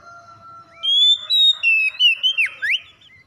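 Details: Whistled song of an Oriental magpie-robin, meant to provoke a reluctant bird into singing: sustained clear notes, then quick chopped notes with steep falling and rising sweeps, over a soft low tone at the start.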